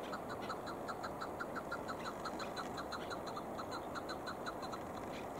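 A chukar gives a steady run of short, clucking 'chuk' notes, about three a second, over a constant background hiss.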